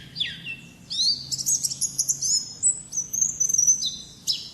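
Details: 'Ngalas' wild-type song of the Oriental white-eye, or pleci: begins with a falling note, then long, very high thin trills and sustained whistled notes interrupted by quick chirps.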